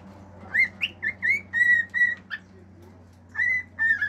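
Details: Singing male cockatiel kept as a pet: a quick rising whistle, then several level whistled notes, a short pause, and two more bright whistles to close.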